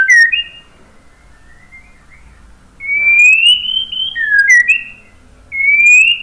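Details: Pure whistled notes of a white-rumped shama: several long rising slurs with small flicks at their ends, spaced by quiet pauses.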